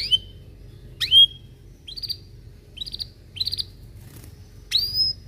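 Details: Belgian canary in the morning, used to coach young birds: scattered short whistled notes and little buzzy bursts separated by pauses, over a low steady hum.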